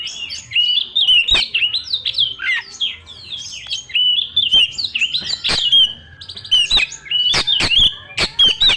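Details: Loud, persistent lure song of a young forest-origin Oriental magpie-robin. Repeated bright whistled phrases, quick upslurs and tangled warbles follow one another steadily, punctuated by crisp clicks.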